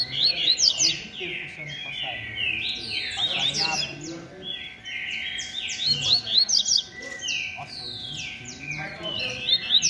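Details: Rusty-collared seedeater singing 'beco' style against rivals: loud phrases of sharp, down-slurred notes come in bursts about every three seconds, with other birds chirping between.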